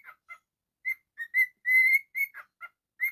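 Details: Pet cockatiel producing a quick sequence of whistled chirps and one longer, slightly rising held whistle, bright and harmonically rich, with small gaps between notes.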